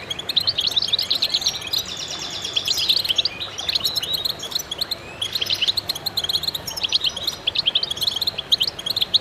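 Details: A concert of goldfinches: continuous, crowded high twittering with buzzy trills and rapid chirps running throughout, barely pausing.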